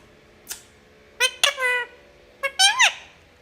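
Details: Pet parrot kept indoors, talking with its owner; a few short squeaky and whistled syllables in two groups, rising and falling in tone, over a quiet room background.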